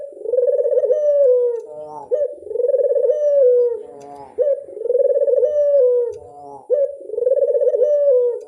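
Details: Lure call of a Barbary dove: four rolling, vibrato coos delivered back to back about every two seconds, with short bubbling notes between phrases.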